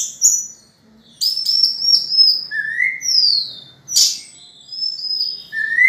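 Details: Orange-headed thrush singing, a song played to prompt other birds into song; clear whistled notes, rising sweeps and longer slurred phrases alternate with sharp high bursts, with brief gaps between phrases.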